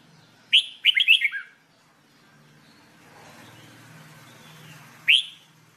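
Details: Red-whiskered bulbul singing for training: a quick burst of bubbly whistled notes, then faint low rumbling background noise, and a single sharp upslurred whistle near the end.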